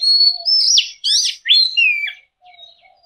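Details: Sustained, smooth whistles with sliding notes, drawn-out and slurred, sung by a white-rumped shama, with a faint low whistle underneath.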